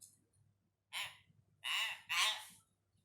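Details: Hill myna learning to say words indoors. One short, hoarse syllable is followed by two longer, loud, raspy word-like phrases in quick succession, in an otherwise quiet room.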